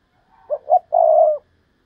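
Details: Decoy spotted dove calling in the Thúc Lợi Cốt style: two short soft coos followed by one long, even, low hollow note that fades at the end, in near silence.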